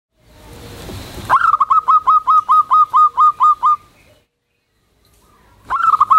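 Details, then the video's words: Local Zebra dove (perkutut) in full voice, calling loudly to its companions: a rapid series of about eleven short, even, mellow cooing notes at a steady pitch, a pause, then the series starting again. "SUARA PERKUTUT GACOR SUARA BESAR"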